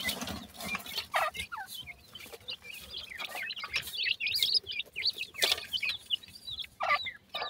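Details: Young grey francolins, locally sindhi teetar, producing a steady stream of high, sharp, rising peeps from several chicks together, interrupted by loud clicks and rustling sounds.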